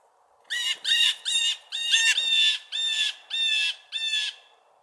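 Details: Blue Jays during nesting season, with males squabbling over food and the group panicking as another jay flies in, giving seven harsh, raspy, nasal squawks in quick succession, about two every second.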